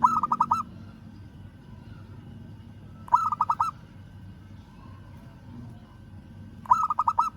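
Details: Local zebra dove calling a rival: three bursts of rapid, rolling cooing notes, each burst under a second long, spaced about three and a half seconds apart, over quiet low background hum.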